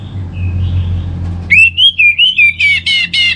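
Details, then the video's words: Orange-headed thrush kept as a song bird in North Bali, used as a lure recording: a bright whistled rolling phrase of about eight quick notes, under a steady low hum. "Trbaik Buat Pancingan Burung ANIS MERAH Agar Gacor"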